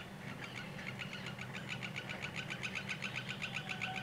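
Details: Common greenshank male in courtship display before mating, recorded about one hour before sunset: a fast, even series of clear piping notes, roughly four per second, above steady low machinery hum from a nearby sawmill.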